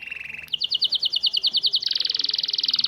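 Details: Local Syrian canary singing to teach and encourage chicks: a short low roll, a run of crisp repeated chirps, then a dense fast trill held to the end.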